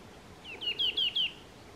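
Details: Chestnut-vented nuthatch, subspecies montium, at Doi Lang, Thailand, on 13 February 2024, giving a quick series of four or five clear, high, downslurred whistled notes in rapid succession, over a quiet background.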